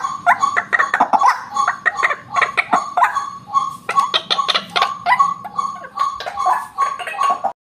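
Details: Rapid, harsh croaking and clucking of a white-breasted waterhen, a sound meant to lure birds, in irregular runs of short notes, ending abruptly in silence.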